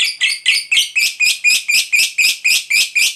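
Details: Lovebird fighter starting ngekek chatter meant to provoke replies from other lovebirds: a regular series of about twelve loud shrill chirps, four per second, evenly spaced.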